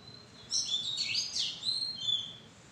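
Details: Close Oriental magpie-robin in a madan tree bower delivering a loud run of high whistled notes, sweeping slurs and chirps, ending in a long clear whistle.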